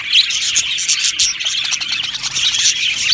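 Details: Australian budgerigars in a colony aviary, singing and chirping: busy, overlapping high chirps and buzzy warbled phrases forming an unbroken twittering chorus.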